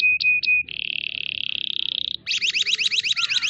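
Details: Canary song used as a training recording for other canaries, in the full 'tembakan' style: two short high whistled notes, then a long even buzzy trill, then a fast rolling series of repeated chirps.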